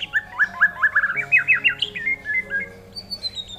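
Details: Tame white-rumped shama singing a fast run of short, rich whistled notes that rise and fall, then longer clear whistles climbing higher, with a faint steady hum underneath.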